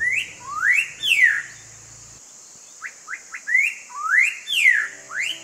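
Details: Striated Laughingthrush at a Kumaon Himalayan village on a cold morning: loud, rich whistles that rise and fall, mixed with quick upslurred notes, about two phrases a second, over a faint low hum and steady high hiss.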